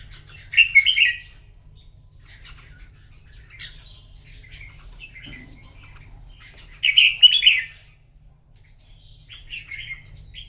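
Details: Morning singing contest of a red-whiskered bulbul: brief bright warbled bursts spaced several seconds apart, with quiet gaps and a low background hum.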